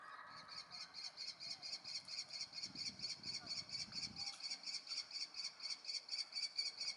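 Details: Common kestrel nestlings calling steadily, 2 June 2018, in the morning while awaiting food from their parents: sharp, grating high notes repeated about twice a second in an even, insistent rhythm with soft low thumps.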